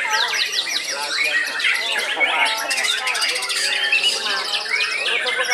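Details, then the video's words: Caged white-rumped shama, said to be the oldest still in active song: busy stream of varied whistles, slurred notes and buzzy rattles, with a fast stuttering burst in the middle. "BURUNG MURAI TERTUA YANG MASIH AKTIF GANTANG"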